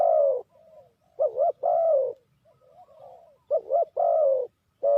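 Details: Spotted dove calling, its call used as a lure for trapping: loud, throaty coos, each a quick doubled hump followed by a long, slightly falling note, repeated about twice in five seconds, with soft, fainter cooing between and no other sounds.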